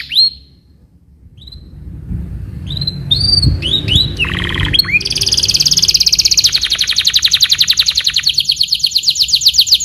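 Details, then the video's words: Canary giving full stuffed walnut master song, opening with a few separate high whistled notes and short chips, then building into a long, fast, loud trill of rapidly repeated notes, with low background rumble. "full stuffed walnut master"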